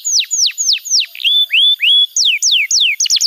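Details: Canary master song for young canaries: clear whistled notes slurring steeply downward, then a few rising whistles, followed by higher descending slurs, delivered about three per second.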